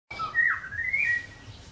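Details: White-rumped shama singing: a short phrase of clear, slurred whistles that dip and rise between mid and high pitch, loudest near the start, over a low steady hum.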